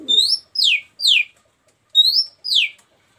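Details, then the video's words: Singing female Oriental magpie-robin, calling for a male: five loud, clear whistled phrases about half a second apart, some rising then levelling, others sweeping steeply downward, in an otherwise quiet setting. "kicau burung Kacer betina"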